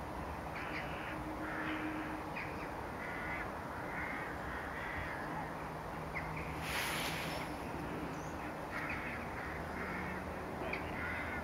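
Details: Caspian gull in its third or fourth winter at Lac de Maine, Angers-Bouchemaine, Maine-et-Loire, on 16 January 2015. It gives harsh, nasal calls in broken series, with a loud burst near the middle over steady low rumbling background noise.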